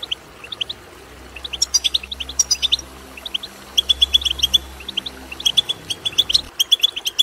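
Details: European goldfinch twitter for prompting goldfinches to sing: scattered bright tweets building to dense chattering phrases with harsh buzzy calls, soft low hum beneath.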